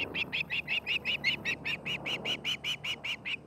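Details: Osprey at its nest in Charlo, Montana, where a pair is building a nest and raising a family: a steady series of loud, high piping chirps, about four or five per second, with a low hum beneath.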